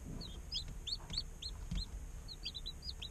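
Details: Day-old chicken chicks chirping in an incubator, a steady series of high, hooked peeps roughly every quarter to half second, some paired or overlapping, over low rustling and a faint hum.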